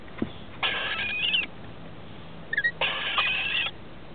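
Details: Rainbow lorikeet chicks, 21 and 17 days old, in a nest in a house roof on 23 October 2013, as parents come in to feed them: two long harsh rasping bursts of under a second, with brief squeaky chirps between, over a low steady hum.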